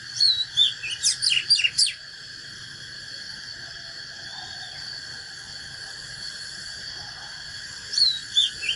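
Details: Oriental magpie-robin fighting song from a natural bird, used to fire up caged birds: a burst of quick, sharp, varied whistles and chips in the first two seconds, a shorter burst near the end, over a steady high insect-like drone.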